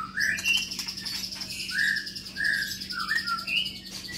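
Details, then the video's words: White-rumped shama of the Medan long-tailed type in an exercise cage giving clear, rounded whistled notes, several evenly spaced and slightly falling, over a continuous thin high-pitched tone and a faint low hum. "Senandung Kicau Murai Baru Medan Ekor Panjang Di Kandang Umbaran"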